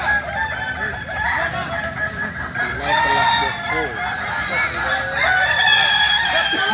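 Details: Kukuak Balenggek roosters, a native chicken of Solok, West Sumatra, produce overlapping crows of short arched syllables and longer held tones, growing louder in the last two seconds, with a couple of sharp clicks.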